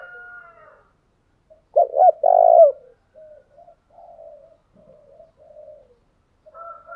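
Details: Spotted dove coo played to excite a freshly caught bird into singing, both male and female voices included; one loud phrase of two clipped notes and a sustained coo, then quiet low murmuring notes and a faint thin tone.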